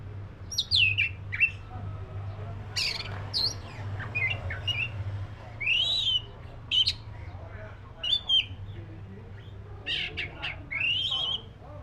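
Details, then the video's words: Black-breasted oriental magpie-robin singing a varied phrase of sharp whistles and brief buzzy notes with short pauses between bursts, over a steady low hum. "SUARA BURUNG KACER (DADA HITAM)"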